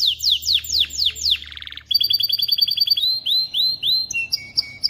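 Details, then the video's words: Male canary song intended to teach chicks to sing and ready females for mating; falling whistled sweeps, a quick buzzy roll, a pulsed trill, then rising whistles and a thin held tone. "تغريد طائر كناري خرافي لتعليم الفراخ على الغناء والاناث على التزاوج، Canary singing"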